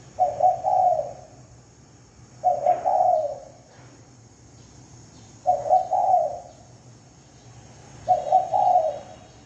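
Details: Spotted dove lure call with four well-spaced cooing phrases, each a stuttered start running into a longer mellow coo, about every two and a half seconds, over steady low hum and hiss.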